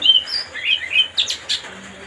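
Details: Oriental magpie-robin (kacer) singing to provoke another bird: clear sliding whistles, then sharper chirpy notes in a fast, lively two-second phrase.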